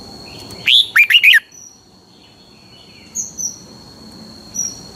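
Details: Red-whiskered bulbul, a caged Pa La-u bird in Thailand, in phleng boen song style. One short lively phrase: a high slurred note, then three quick looping warbles. Faint high chirps follow in a quiet background.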